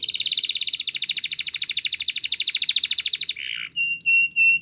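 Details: Spanish Timbrado canary singing for training: a loud, fast metallic trill held for over three seconds, then a short harsh burst and several flat, clear whistled notes repeated evenly.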